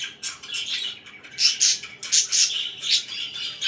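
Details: Morning chatter of pet budgerigars, with loud bursts of sharp, squawky chirps and trilling warbles at an uneven rhythm over a quiet indoor background.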